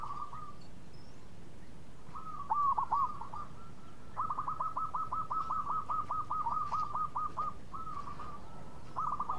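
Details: Local zebra dove singing keenly, a melodious bird that sets others singing: long runs of soft, evenly spaced, dipping coo notes at a steady pitch, with some hiss in the background.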